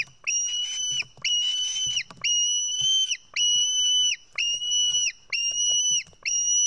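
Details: Begging white-tailed eagle chick being fed fish at an Estonian nest, caught by nest camera on 4 July 2018 at 1:10 pm: seven long, shrill, flat-pitched screams, each nearly a second long, repeated about once a second.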